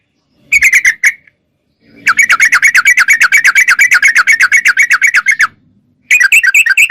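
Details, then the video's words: Sooty-headed bulbul in full voice. A short chatter is followed by a long, steady run of rapid, even, buzzy notes lasting over three seconds, then a fresh burst of warbled phrases. A faint low hum sits in the background. "Suara Trucuk Gacor Super Jernih"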